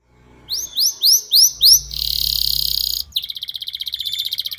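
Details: Canary in long, continuous song: a row of five rising whistled sweeps, then a sustained buzzy trill, a brief break, and a fast rattling trill of rapid repeated notes.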